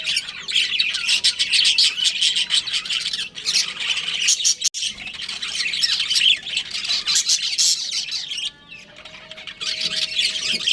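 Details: Budgerigars, a breeding pair kept at home, produce harsh squawky chatter and rapid chirps, dense throughout, dipping briefly near the end before resuming.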